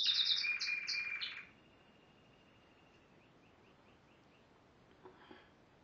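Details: Yellow Spanish Timbrado canary, 2011, bursts into a loud high rattling trill with rapid descending notes for about a second and a half, then soft faint ticking notes and a quiet knock follow.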